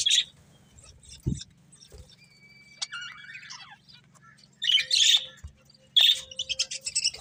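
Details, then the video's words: Budgerigar breeding pair kept as pets, giving sparse bright chirps and squeaky warbled notes separated by quiet gaps, with a low steady hum in the background. "Cute Budgies Chirping Sounds"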